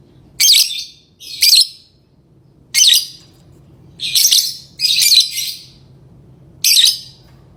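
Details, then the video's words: Lovebird calling with loud, scratchy, high-pitched chirps in an uneven series, some in close pairs, each note short and raspy. "Love bird singing & chirping sounds"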